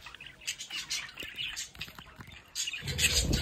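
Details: Household budgerigars at a window chirp and chatter rapidly, growing louder and denser in the last second with a low rumble underneath.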